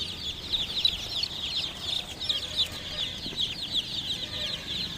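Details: Chicken chicks chirping in a thick chorus, bright high peeps rising and falling in loudness in little surges, little other sound beyond a faint low hum.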